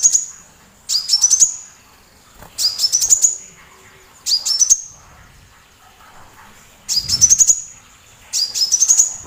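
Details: A sunbird's song used to challenge other birds, including white-rumped shamas, into singing: five high, piercing phrases of quick ascending notes separated by irregular gaps of one to two seconds, faint low thump near the end.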